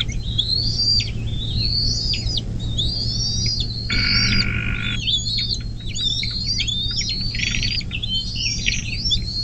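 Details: Nest-camera recording of a bald eagle on the Little Miami River in southwest Ohio, near South Lebanon, USA, 24 May 2024, mid-morning. Rapid high squealing whistles rise and drop in overlapping phrases, briefly masked by a rushing noise, over constant low hum.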